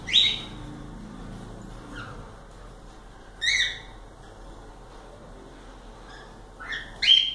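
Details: Indoor pet cockatiels give widely spaced sharp, grating calls: one at the start, a brief note near two seconds, another loud screech mid-way and a final one at the end, over steady hum.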